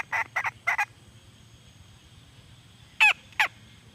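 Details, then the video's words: Red junglefowl hen calling: three quick harsh notes in a row, a pause of about two seconds, then two louder, sharper notes that sweep downward. A steady low hum sits underneath. "suab poj Qaib see"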